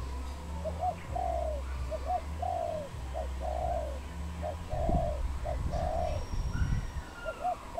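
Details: Wild dove in Cambodia, recorded 23 April 2020, giving soft, low cooing phrases: two short clipped notes followed by a longer drawn, slightly falling coo, repeated about four times in steady rhythm over a constant low hum, with faint other bird notes.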